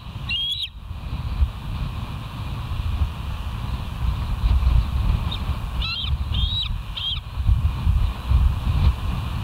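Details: Bald eagle at West End, live cam, 29 September 2023, 07:05 in the morning; a brief whistled chirp at the start, then a quick cluster of three or four short piping notes later, over steady low rumble.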